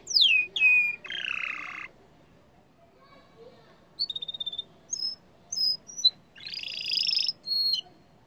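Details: Yellow canary singing: a falling whistle, a harsh buzzy rattle, then staccato chips, scattered high whistled notes and a rich rolling trill near the end.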